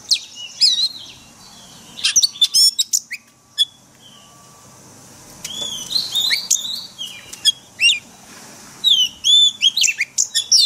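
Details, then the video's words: Wild-type song of an Oriental magpie-robin, played each day to train caged birds: scattered clusters of high chirps and whistled sweeps separated by quiet pauses, with faint hiss. "Luyện chòe than hót giọng rừng mỗi ngày"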